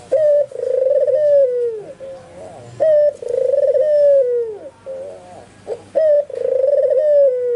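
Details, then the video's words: Albino Barbary dove, white plumage, in lively full song with neighbouring spotted and zebra doves answering; three cycles of a short clipped coo followed by a long purring coo that falls away, with quieter quavering coos between. "SUARA BURUNG PUTER PUTIH ALBINO FULL GACOR - Sekali bunyi tekukur perkutut disekitarnya ikut nyaut"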